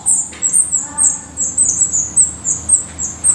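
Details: At a black redstart nest in Portugal, shrill high-pitched squeaks come in quick, slightly uneven succession, roughly three or four per second, over a quiet background.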